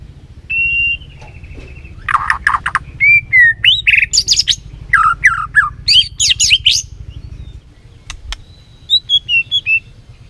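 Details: Lure song of a white-rumped shama to excite a lazy bird into singing: a held whistle, then a busy run of chirps, slurred whistles and high trills, ending in a thin descending phrase over a steady low hum.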